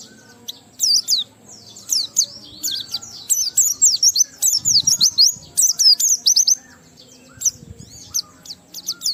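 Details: Energetic Oriental white-eye song in 'ngalas' style with 'riwikan' fill-ins, intended to provoke other white-eyes into song: near-continuous bright, high chirps and twisting slurred notes in rapid, uneven bursts.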